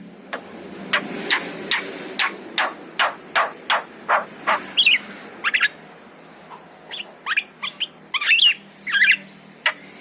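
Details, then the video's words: Yellow-eyed Javan myna gives a regular series of harsh, clipped notes a little over one per second, then breaks into twisting whistles and chatter; played to coax pet mynas into singing. "KICAU JALAK KEBO MATA KUNING"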